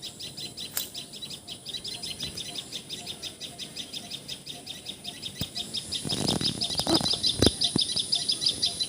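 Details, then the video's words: Common tailorbird in Assam, India, calling with a fast, regular string of high, sharp notes, about three per second, interrupted by brief loud noise bursts near the end. "Call Of Common Tailor Bird!"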